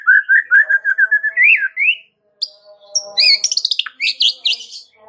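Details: Murai batu used as a master to trigger response: a long run of fluid whistled notes rising over two seconds, then after a pause a dense burst of high, rapid chattering and whistles.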